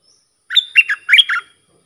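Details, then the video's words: Sooty-headed bulbul song used to teach young or hand-reared birds and to lure wild birds. A single brisk phrase of several bright, slurred warbling notes, the second pair slightly higher, with nothing else audible. "เสียงนกดอกแตงEp.122สำหรับหัดลูกป้อน/ลูกเสอ มีครบในครบในคลิปเดียว สับดอก-เบิ้ล-ริก เพลงเพราะน่าฟัง"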